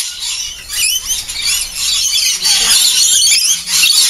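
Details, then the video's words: Each morning a flock of lorikeets makes a frenzied, constant overlapping chorus of shrill high screeches and squeals with no pause, lasting about ten minutes before flying off into trees to sip nectar. "Lorikeet frenzy"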